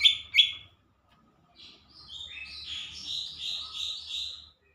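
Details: Lesser green leafbird singing actively: two loud sharp high notes open, followed after a pause by a long run of softer, rapid buzzy warbling chatter repeated several times a second.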